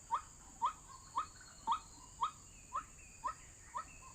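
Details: White-breasted waterhen on a lure track for bird trapping: eight clipped, rising notes at an even pace of about two per second, the last few slightly softer.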